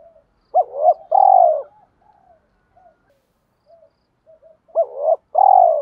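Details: Luring call of a spotted dove meant to draw wild doves in: a rising double note into a long vibrating falling coo, repeated after a stretch of soft scattered coos.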